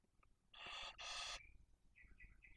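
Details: Barn owl at the nest in Cabañeros National Park, Spain, a female with two chicks one and four days old and prey delivered by the male. Two back-to-back rasping hisses are followed by faint, high, short whistled notes.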